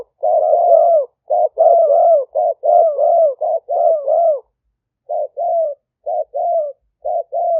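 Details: Live 2021 smartphone recording from Roi Et province, Thailand, of a spotted dove in liu tan style, played to draw wild doves into a snare. Long run of husky coos in close succession, then a brief pause and shorter clipped coos.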